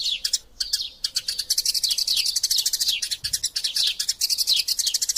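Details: Fighting Eurasian tree sparrows, a tutor recording for songbirds: a few scattered chirps open the clip, then a sustained, dense run of shrill chirps with downward slurs follows for the remaining four seconds.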